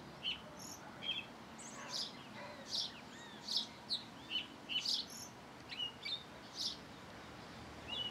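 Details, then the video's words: Thrush singing at its singing hour: scattered, varied high notes, short clear whistles, sharp chips and brief slurred phrases, spaced irregularly over a steady hiss of background noise. "Zorzal en su hora de cantar"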